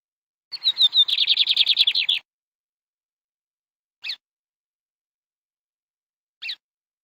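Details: Canary singing: a rapid run of about fifteen bright, high notes repeated quickly for under two seconds, then two short isolated chirps after long pauses, with a quiet background.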